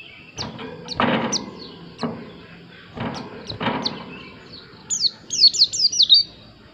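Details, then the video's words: White-eye giving scattered high, thin downslurred notes among several dull thumping knocks, then a quick run of five bright descending whistles at the end. "Plecimu Langsung Nyaut, Dengar suara burung Pleci yg satu ini"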